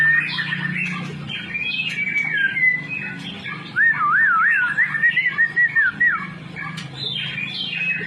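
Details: White-rumped shama song of varied whistles, including a rapid wavering warbled phrase and short downslurred notes, with scattered clicks over a steady low background hum.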